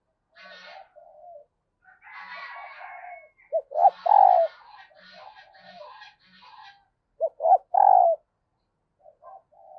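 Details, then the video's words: Hen dove calling to stir males into response. Deep coo clusters end in a long, sagging note, given twice, over a busy background of higher, scratchy bird calls and chatter. "Tiếng chim Cu Mái Kích Trống Hiệu Quả"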